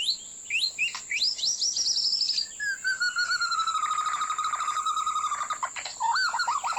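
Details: Trapping lure recording of a white-rumped shama: quick rising whistles, then a long sustained warbling trill, ending in looping notes, with a steady high whine throughout.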